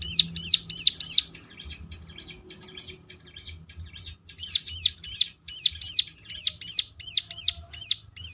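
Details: Ciblek (bar-winged prinia) lure song to get other birds answering and singing actively: quick loud hooked chirps, a pause filled with quieter chattering, then a steady run of sharp high chirps about three per second.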